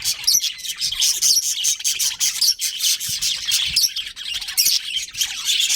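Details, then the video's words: Budgerigars in a colony with a breeding pair, a dense, continuous chatter of high, scratchy chirps and warbles, overlapping rapidly with no pauses throughout. "Cute Budgies Chirping Sounds"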